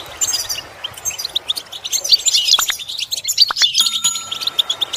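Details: Goldfinch song played to train goldfinches to imitate sounds; lively high twittering and chirps build through the middle, with a few sharp click-like notes and a faint steady tone near the end.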